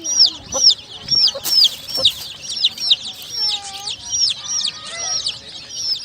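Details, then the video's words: A brood of colourful chicks gives loud, sharp down-slurred peeps in quick bursts, mixed with a few short clicks or taps. Midway come some lower, smoother whistled tones among the high cheeping. "Suara Anak Ayam"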